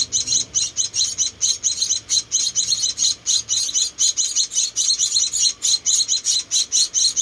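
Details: Four tiny rescued munia chicks being hand-fed, calling in a rapid run of high, thin, buzzy chirps that pulse several times a second with hardly a pause.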